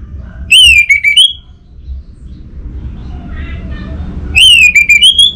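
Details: Song of an orange-headed thrush offered as lure playback for non-singing birds: a bright whistle sliding down then up, a short silence with faint murmuring, then the same whistled phrase repeated.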